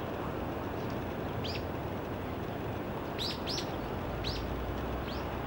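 Daurian redstart giving five thin, high whistled notes, spaced about a second apart, some in quick pairs, over a steady rumble of traffic or wind.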